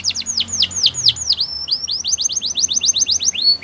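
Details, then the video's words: Singing Spanish Timbrado canary delivering a steady stream of sharp descending whistles that quicken into an even, rapid repeated series of short bright notes. "Spanish Timbrado Canary Singing"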